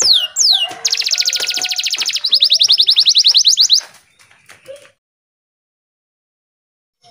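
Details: Canary song meant to coax stressed or silent canaries into singing in the morning: two swooping whistles, then long fast rolls of high ticking notes, a slower rolling series, and then silence.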